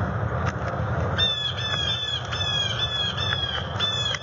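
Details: Bald eagle pair on their nest on November 19, 2020, seen on a nest cam while preparing the nest for the nesting season, with stick play and disputes. A rapid series of thin, high, piping chattering notes over low rumbling wind noise.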